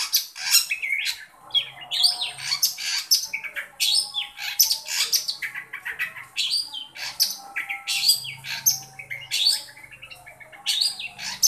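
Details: Long-tailed shrike calling to draw out a shy shrike: a dense, continuous run of harsh chattering and squeaky notes with rapid sweeping whistles, scratchy and varied, with a faint low hum in the background.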